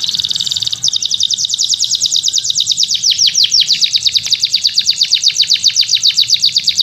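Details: Canary song from a training recording meant for teaching other birds: a fast, even trill of high notes that shifts after a second into a long rolling tour of rapid, repeated downslurred notes, loud and continuous.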